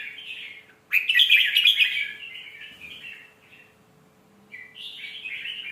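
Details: Red-whiskered bulbul song played to teach young birds: a soft warbled phrase, then a loud burst of rich, bubbling whistled notes around one second, fading into quieter warbles and a final rising, chattering phrase.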